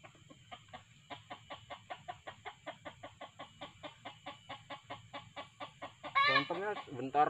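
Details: Junglefowl lured by a decoy cock and played hen calls: a long, steady run of sharp clucks about three each second, ending in a louder, drawn-out rasping crow-like call in the last second.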